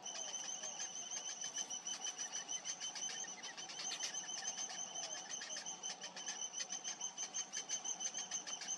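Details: Young cinnamon bittern begging as its parent feeds it, a continuous run of sharp, high squeaky notes repeated about three times per second, steady in pitch and rhythm.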